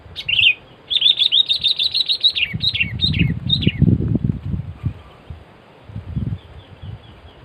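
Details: Two sooty-headed bulbuls, used as a lure for catching birds, give a run of quick bright chirping notes in rapid bursts, some dropping in pitch, over steady low rumbling background noise.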